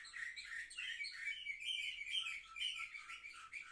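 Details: Seven-month-old canaries recorded on 10 November 2023 give a short burst of fast, bright warbling with quick rising and falling chirped notes repeated in dense succession.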